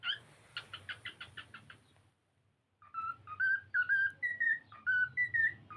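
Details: Pet cockatiel singing while playing: a run of about eight quick harsh chirps, then after a short pause a string of clear whistled notes, each rising or sliding, repeated about twice a second.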